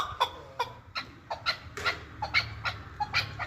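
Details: Kabodiyon chukar partridge from Tajikistan, uttering scattered sharp clucks and squeakier notes at uneven intervals over a low steady hum.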